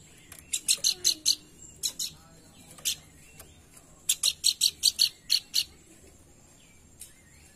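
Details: Pelanduk bukit calling as a lure to make birds sing: two clusters of fast, high, rasping chirps, the second longer, then a single late note in a quiet background.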